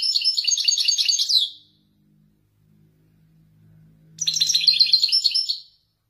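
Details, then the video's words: European goldfinch of the Wedani type showing off Marrakech-style descents: a fast liquid twittering phrase, a quiet gap with faint low hum, then another bright, rapid jingling burst. "حسون ويداني يتفنن بالنزولات المراكشية الأصيلة"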